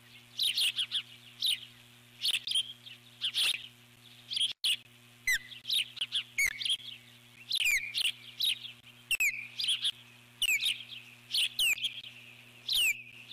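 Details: Eagle on the nest calling in alarm as an intruder flies past and tries to land, July 2014: a long series of high, thin, falling whistles and twittering notes, closely repeated, over a steady low drone.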